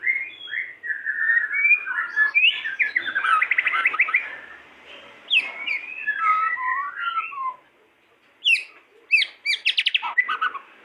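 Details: A pair of pied-plumaged white-rumped shamas in full song: rich, varied phrases of clear slurred whistles, sweeping notes and fast rattling trills, broken by short pauses, ending in bursts of sharp, rapidly repeated notes.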